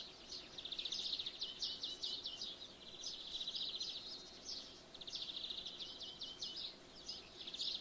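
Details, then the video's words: Morning birdsong through an open window; a chorus of high, fast trills and chirped phrases from several birds, rising and falling in bursts over constant faint background noise. "Woken Up By Birdsong"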